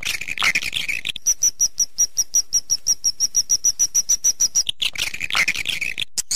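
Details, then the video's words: Swiftlet lure call: a buzzy twitter, then a fast, even train of about twenty sharp high clicks, then another buzzy twitter. "suara panggil burung walet"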